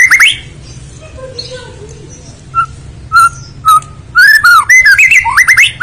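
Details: White-rumped shama, a territorial songbird, giving a varied song: a few whistled notes with pauses, then a fast burst of rising and falling slurred whistles and sharp chips near the end, over a low background hum.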